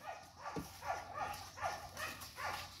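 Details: Rhode Island Red chickens giving a series of short, falling clucks, about five notes spaced roughly half a second apart, over faint background noise.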